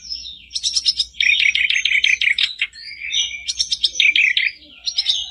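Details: Black-browed reed warbler song meant to set off a silent caged bird: a high thin note, then two bouts of harsh buzzy chattering separated by a brief pause, over a low hum.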